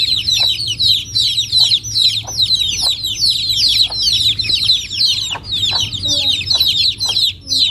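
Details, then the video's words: Chicken chicks in Noldang village, a rural natural setting: a dense chorus of high, downslurred peeps from many chicks overlapping continuously, with a few short low clucks from an adult bird scattered through. "Chicken baby sounds | Big Chicken sound"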